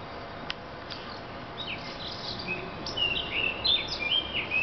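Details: After a quiet start, a thrush breaks into lively whistled phrasing, short rising and falling notes tumbling together and growing louder toward the end.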